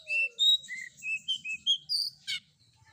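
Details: Long-tailed shrike, combination filler recording meant to trigger replies from other shrikes. It begins with a falling thin note, then a series of clear whistled notes at shifting pitches, ending in one harsh burst.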